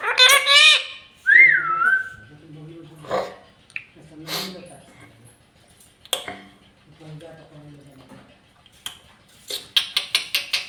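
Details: Pet parrot indoors in a small room: a loud harsh harmonic squawk, then a smooth wavering whistle, followed by scattered clicks, faint low murmurs and a quick run of sharp snapping taps at the end.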